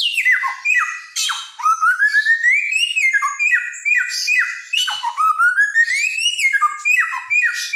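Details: Samyong, or helmeted friarbird, a Nusa Tenggara songbird known for copying many songs, delivering loud mimicking song: long smoothly rising whistled glides mixed with quick falling notes and harsh squawky bursts, steady and unbroken throughout.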